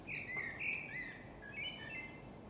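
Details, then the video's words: Yard birdsong in summer, morning or evening: clear whistled notes sliding up and down in quick succession, with several voices overlapping above a soft, constant background hum. "Пение птиц у нас во дворе"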